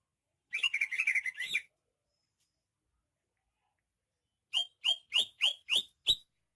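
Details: Greater green leafbird, Banyuwangi origin, gives a rapid, rattling warble of closely packed notes, then after a three-second silence a series of six evenly spaced, sharply rising whistles with downward tails.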